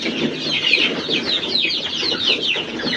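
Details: Chicks beside a hen: a crowded stream of shrill, falling peeps, several per second and overlapping, with faint low clucks underneath.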